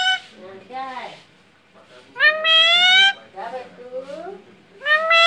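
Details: Pet Alexandrine parakeet saying mummy: wavering, bent harmonic syllables, then a long, loud, nasal cry and further curved syllables, ending on another loud cry, all indoors.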